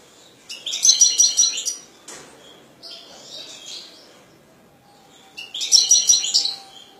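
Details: Kept European goldfinch sings in bright, jangling bursts of rapid high twittering with buzzy trills, a quieter scratchy phrase between two loud outbursts.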